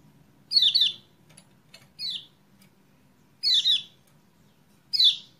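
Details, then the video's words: Lemon-bellied white-eye, 28/11/20, played as a lure to get a bird singing; high, rapid descending chirps in doubled and single bursts, irregularly spaced, with faint clicks and low background hum. "PANCINGAN CEPAT GACOR UNTUK KECIAL KUNING MACET"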